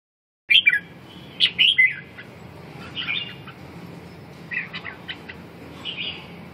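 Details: Red-whiskered bulbul singing: bright warbled phrases of quick rising and falling whistled notes around the start, then softer fragmented notes and faint chatter later, over steady low background hum.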